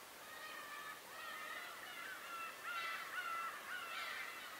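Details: Bird voices at Tobishima: many birds calling at once, with drawn-out harmonic notes and brief upward slurs that build louder toward the end. The calls overlap in a steady, busy chorus.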